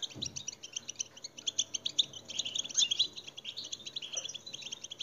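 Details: Goldfinch song played to excite captive European goldfinches: quieter, fast, jingling twitter of high notes, steady throughout, with a soft low thump near the start.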